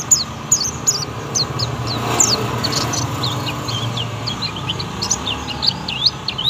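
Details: Young oriental white-eye singing a 'tembakan' shooting-style song of quick, high, piercing chips and slurred notes strung together, set against a noisy background with a low rumble.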